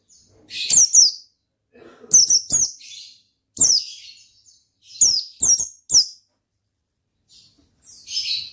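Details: Oriental white-eye in vigorous ngalas song, uttering bright, high, downward-slurred chirps in pairs and triplets, separated by brief pauses, with a softer chirp at the end.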